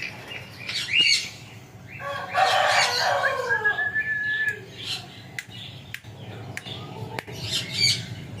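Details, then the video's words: Parrot presented as a nonstop talker gives one loud harsh, harmonic outburst with sweeping tones, a drawn-out whistle, then scattered squawks and clicks. "Talking arrot"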